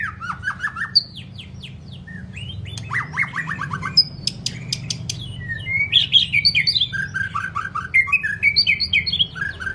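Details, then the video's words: White-rumped shama, a voice-training recording for long, varied song; fast descending trills, sharp clicks and rising whistles build into loud, dense warbling phrases of varied notes. "chòe lửa hót giọng dài,kích lửa cho chòe lửa căng lửa"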